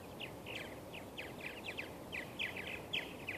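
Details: Western purple martins at Steigerwald Wildlife Refuge in Washougal, Washington, late May 2013, one male banded: a quick chattering stream of short chirps and gurgled notes, several each second, over constant broadband hiss.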